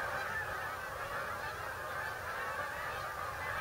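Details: Migrating geese arriving at a refuge on the eastern shore of Delaware, USA, heard as a softer, more distant blanket of continuous honking from a big flock.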